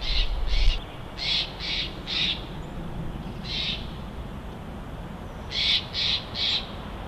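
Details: Bald eagle on a live nest camera at Big Bear: grouped high piping notes, two, then three, a single note, and a final trio, separated by short quiet gaps.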